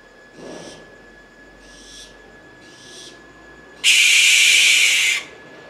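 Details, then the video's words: In Brazil, an American barn owl calls with a few soft, scratchy notes, then bursts into a single loud, hoarse, hissing shriek of about a second and a half. "Canto Coruja Suidara (Tyto furcata)"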